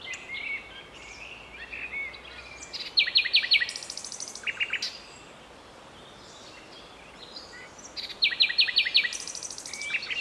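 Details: Common nightingale in a Strzelce Opolskie city park, Poland, May 2012, delivering two bursts of rapid repeated whistled notes with rattles, separated by a pause filled with distant birdsong.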